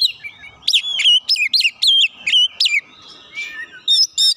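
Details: White-rumped shama provoked by a rival, giving a run of loud sharp whistled notes and chips several per second, a quieter lull, then two final high whistles.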